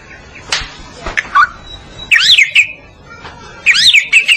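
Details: Medan-type white-rumped shama singing for a training recording: scattered sharp notes, then two similar loud phrases of rising and falling zigzag whistles, each ending in a brief held tone, separated by a quiet pause.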